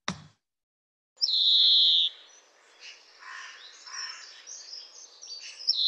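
A European greenfinch gives a long, rough, nasal wheeze held for about a second, like a squeaky wheel, then a quieter run of twittering notes.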